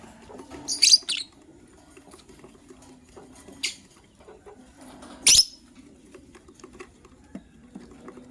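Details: Morning chirping of lovebirds, including a gray bird ready to lay eggs and a yellow-green bird: short, loud, shrill bursts, a double one near the start, then two more, with quiet rustling between.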